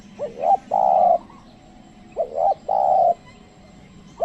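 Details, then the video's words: Trained decoy spotted dove calling to lure wild doves, which stay away. Two phrases about two seconds apart, each a short wavering double coo then one long, steady, level coo, over a faint low background hum. "pikat tekukur ajaran memanggil burung liar"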